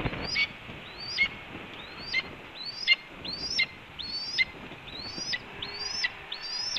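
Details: Red-tailed hawk heralding food delivery at its nest at Cornell, early morning of 7 April 2013: a steady series of eight thin, rising-then-falling whistled calls, one roughly every 0.8 seconds, over faint noise.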